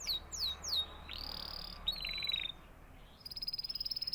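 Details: Canary singing: a few quick falling whistles, then harsh buzzy trills and a fast high pulsed trill at the end.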